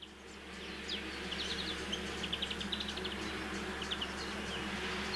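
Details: European goldfinch, also called Distelfink: a rapid, thin twitter of short high chirps and slurred notes running on without pause, rather faint, over a steady low hum throughout.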